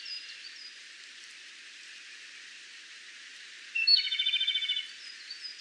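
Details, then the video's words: Japanese robin (Larvivora akahige) singing: after a quiet stretch, one high clear note leads into a fast, even trill of about a dozen pulses that lasts roughly a second. Steady rain-like hiss and faint distant chirps run underneath. "Robin Japonês - Já ouviu o canto desse passarinho?"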